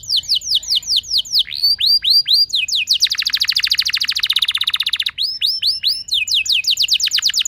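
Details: Canary singing a lure song meant to set other canaries off into rich rolling song: series of clear down-slurred whistles, then a fast buzzy trill lasting about two seconds, then more sweeping notes.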